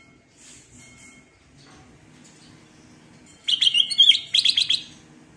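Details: Black-crested bulbul delivering a lively prompting song: two rapid bursts of sharp, ringing whistled notes, about a dozen in quick succession, after soft high tweets and quiet background murmur.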